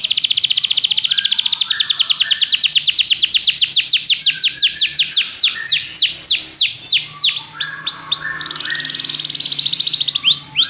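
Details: Belgian canary song meant to train other canaries to sing: a fast high trill that slows into broad falling sweeps, then a sustained buzzy trill and more sweeps, with faint lower chirps in the background.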